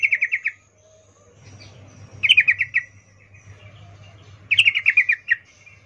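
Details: Female yellow-vented bulbul in breeding condition calling a male, the 'ngecuplik' call used as a lure; three short rattling bursts of quick, scratchy notes, each about half a second, spaced roughly two seconds apart.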